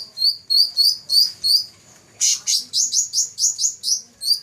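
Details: First-place champion black-throated laughingthrush, 2014, gives quick high chirps, then a louder burst of rapid, strongly repeated notes at a steady pace of roughly three to four a second.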